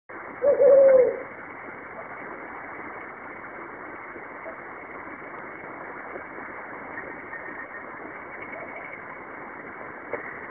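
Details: Brown fish owl calling at night: a single short, hollow hoot falling slightly in pitch, then steady hiss for the rest of the recording.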